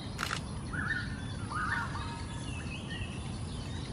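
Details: Wild golden-backed weavers busy nest building in pond trees in Singapore at dawn, uttering raucous chattering calls in two short bouts after a sharp click, with faint higher notes and a low steady rumble behind.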